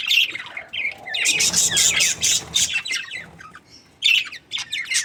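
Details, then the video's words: A contented budgerigar breeding pair: clear upward-sweeping chirps at first, then a loud run of harsh squeaky chatter, followed by softer scattered notes and a final cluster of sharp chirps. "Happy budgies chirping sounds | parakeet breeding pair"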